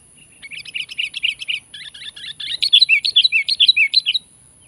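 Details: Sooty-headed bulbul giving a lively call to challenge and press a rival: rapid bursts of sharp chirping notes, about two per second, in two busy chattering runs separated by a short pause.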